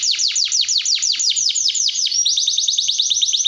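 A canary sings a fast rolling trill of repeated downward-sweeping high notes, about six per second, then shifts into a quicker, steadier trill.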